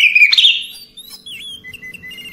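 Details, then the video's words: Oriental magpie-robin in calm night-time song: a loud, buzzy, warbled phrase at the start, then softer slurred whistles and a string of short, evenly spaced chirps. "Ocehan Santai Di malam Hari Cocok Untuk Terapi Segala Jenis Kacer"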